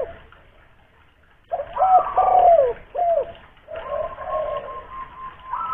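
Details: Loud local spotted dove from Kuningan, West Java, used to lure others into calling: after a quiet start, deep throaty coos with falling slurs, then a smoother rolling coo under a steady higher tone.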